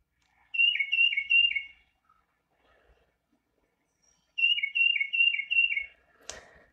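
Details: Tufted Titmouse song from southern Wisconsin: two bursts of four clear, high, slurred two-note whistles, "peter-peter-peter-peter", each phrase about a second and a half long, with a brief click near the end.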